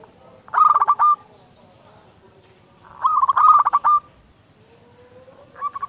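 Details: Local zebra dove singing, used as a lure to get other doves to sing and to stir up breeding mood: bursts of rapid, rolling, stuttered coos near one pitch, each about half a second to a second long, with a gap between phrases.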